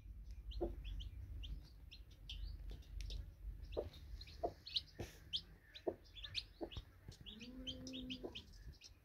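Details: Newly hatched chicks beside a broody hen: rapid, thin high peeps chattering throughout, mixed with occasional low hen clucks and a brief drawn-out lower note near the end, over a low background rumble.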